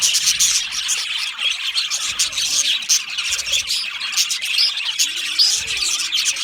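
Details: A lonely budgie makes loud contact or distress calls: sharp grating squawks mixed with rapid high chirps in a dense, continuous stream, with brief whistled squeaks near the end.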